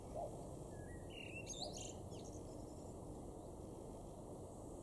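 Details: A male Common blackbird in a garden in Weener, East Frisia, far northwest Germany, in June 2021, gives one short phrase: a low fluty note running into a squeaky high twitter, over a steady low background rumble.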